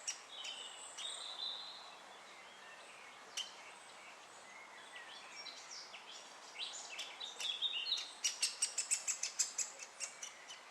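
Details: Great spotted woodpecker chick fed by its parents at Moat Farm; other small birds twitter and warble at first, then a fast, insistent burst of sharp, harsh calls builds up over the last few seconds.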